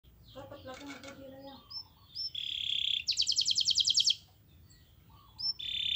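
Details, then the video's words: Canary master song meant to get other canaries singing. After a soft, lower-pitched start, a bright high buzzy trill bursts out, with a few short whistled notes before and after it. "MASTERAN KENARI GACOR Yang Lain Agar Ikut GACOR"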